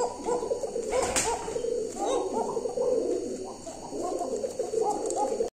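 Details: Domestic show-breed pigeon kept at home, giving continuous low, throaty rolling coos in overlapping phrases, with a short sharp clatter early on and a brief pause before the cooing resumes.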